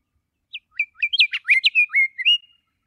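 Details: Scott's Oriole singing a rich, fast phrase of clear whistled notes. Slurred notes rise and fall and run together into a warbling, melodic string. The phrase lasts about two seconds and ends on a sustained whistle. No other sounds are heard.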